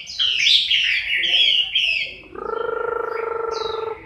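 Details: Chinese hwamei moulting, October 2015. A burst of dense, tumbling whistles gives way to a rapid buzzing, pulsed hum, with one faint high note.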